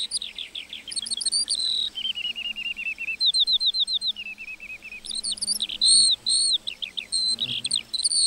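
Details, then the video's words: Singing lark in a meadow, mixing sharp high chirps with a run of rapid, evenly repeated lower notes, then more varied trills and whistles; very quiet surroundings. "Singing lark in the meadow"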